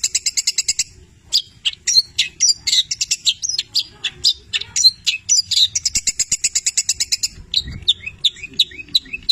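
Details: Long-tailed shrike, a 'petir' style bird in full song with rich imitation fill-ins of labet and canary: rapid bursts of high chirps, buzzy trills and sharp repeated notes, ending in a run of quick downslurred whistles.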